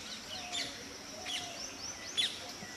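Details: A female Asian paradise flycatcher, active in the morning, gives three short, sharp high chips about a second apart, over faint thin whistles from other birds and a soft outdoor hiss.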